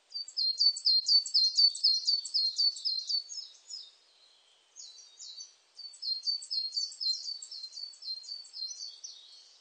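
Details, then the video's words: Coal tit song from a 2020 recording. Two long, energetic bouts of rapid, high, repeated descending notes are separated by a short gap broken by a few quieter notes. "진박새, 여러번 듣기, 곤충소리, 새소리"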